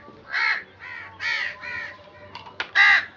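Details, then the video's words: Crow cawing five times, rough and raspy, with a louder final caw preceded by a couple of sharp clicks, and a low hum underneath. "Crow Sound"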